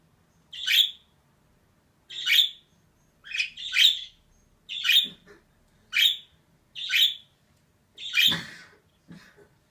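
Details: Female budgerigar producing about nine sharp, scratchy chirps at uneven intervals, a few doubled, with a faint low knock near the end.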